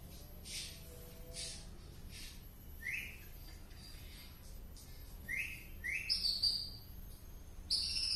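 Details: White-rumped shama from Penaron, East Aceh, giving an unusual song: faint scattered whistled phrases with short rising notes and a few higher bright trills near the end, over steady background hiss.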